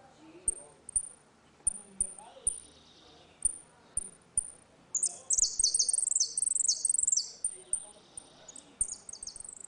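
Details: Ringing 'retinido' song of a saffron finch in a dispute, meant for tutoring young birds: evenly spaced high single chirps, then a fast loud rolling burst of descending notes and more chirps after.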